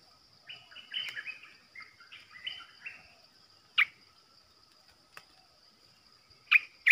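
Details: Caged Olive-winged Bulbul used as a trapping decoy: a soft, warbling string of short notes, followed by a few isolated loud, sharp clicks or chips, with a faint steady hiss throughout.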